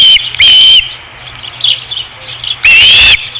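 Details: Osprey at a nest, Dunrovin Ranch, 2016: two loud shrill whistles, a pause filled with faint soft chirps, then a longer upslurred whistle and the start of another.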